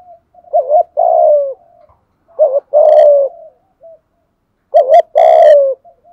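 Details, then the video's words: Spotted dove in thúc gù cooing, meant to quickly excite decoy birds: three loud phrases, each a double-hooked short coo leading into a long rough coo that dips downward. "tieng chim cu gáy thúc gù/ gáy gọi/ chim cu agys kích bổi nhanh nổi"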